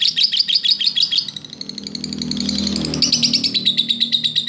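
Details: Lovebird master song for training other birds: fast high chirping breaks off after a second into a soft rushing noise, then the bright rapid chirps resume strongly.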